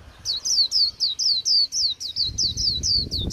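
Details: End-of-season wild-caught Japanese white-eye in bland 'líu' twittering song: sharp, high downslurred notes repeated about four per second in an even run, with faint low rumble toward the end.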